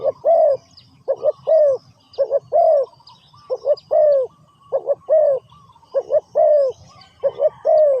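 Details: Spotted dove used in ground decoy trapping, calling repeatedly: two short low hoots followed by a longer, falling coo, the phrase repeated about every second, with faint higher chirps of other birds behind.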